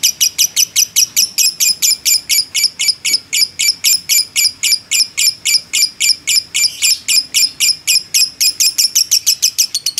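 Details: Lovebird of the fighter kind in a long, nonstop ngekek chattering, used as a trigger recording: dense, shrill, ticking chirps, nearly four per second, loud and even across ten seconds with no pause.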